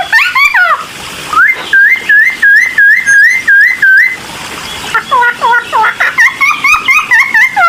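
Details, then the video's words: Cucak timor in energetic full song meant to provoke other birds into singing: loud whistled notes, then a run of even rising-falling whistles repeated about twice a second, followed by quicker varied whistled phrases. "CUCAK TIMOR GACOR EMOSI....‼️100% BIKIN BURUNG LAIN LANGSUNG NYAUT"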